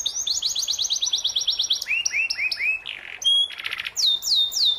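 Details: Song of a canary, recorded as tutor material for juvenile moulting canaries: quick repeated sweeps, lower slurred notes, a short buzzy burst, a pure high whistle and looping downslurs.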